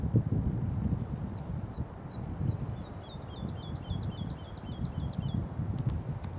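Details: Woodlark at Dersingham Bog NR on 28 April 2013 delivering an accelerating series of sweet, falling repeated notes that speed up mid-phrase then stop, with faint low wind noise and a few clicks.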